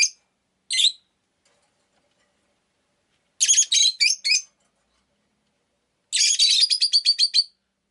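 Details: Rosy-faced lovebird in captivity calling in sharp single chirps, then two fast stuttering runs of harsh notes, the last a rapid rattling series of about ten chirps.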